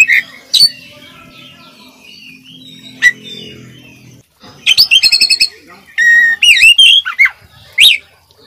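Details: Oriental magpie-robin song used as a training recording, from a vigorous singer with full fill phrases rated as a future champion: faint murmuring background, then loud clicking bursts, repeated chattering notes and sharp whistled sweeps near the end.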